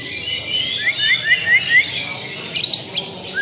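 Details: Lampung-type white-rumped shama giving five clear rising whistles in quick even succession, then a few sharp high notes.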